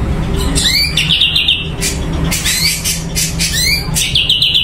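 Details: Sumatran leafbird singing in a lively, vigorous bout: quick slurred whistles and buzzy rising notes in short bursts, repeated several times, over a constant loud low rumble and hiss of background noise.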